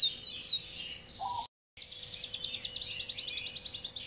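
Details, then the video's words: Yorkshire canary sings high, fast trills and rapid rolling notes, with swooping whistles at the start, a brief gap, then a long buzzy trill of many quick notes per second. "KENARI YORKSHIRE GACOR PANJANG GAYA NGAWET MENCARI LAWAN"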